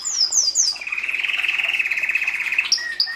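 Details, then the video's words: Belgian canary singing in 2016, song meant to encourage chicks in breeding season: three quick descending whistled notes, then a long even buzzy trill lasting nearly two seconds, closing with a few high clipped notes. "Canario belga cantando (MELHOR CANTO) para encartar filhotes"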